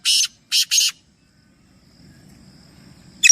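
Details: Black francolin calling, one of three birds: a short harsh note then a pair of loud rasping, broadband bursts close together, followed by quiet and a faint low hum, with another brief note at the end.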